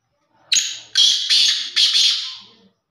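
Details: Black francolin of the Sindhi breed giving a harsh, grating call of four loud buzzy bursts in about two seconds, the last trailing off, in a quiet setting.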